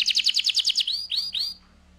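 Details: Canary singing to stimulate breeding: a rapid rattling trill of about twelve bright notes, followed by three rising whistled upslurs that stop abruptly into quiet.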